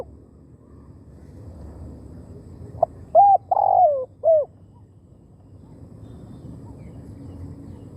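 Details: Spotted dove used as a decoy bird to lure wild doves in Thailand: one short cooing phrase mid-clip, a few quick clipped notes and then a longer mellow, slightly falling coo. Quiet low background hum otherwise.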